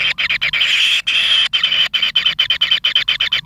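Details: Kingfisher chicks begging in the nest as pin feathers grow, a harsh whining rasp pulsing in quick uneven bursts, roughly two per second.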